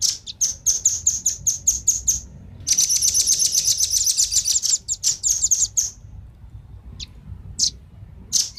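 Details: Velvet-fronted nuthatch, male and female, giving calls used as a lure for wild birds: rapid series of sharp high chirps, a dense buzzy trill, then scattered single high notes with pauses between.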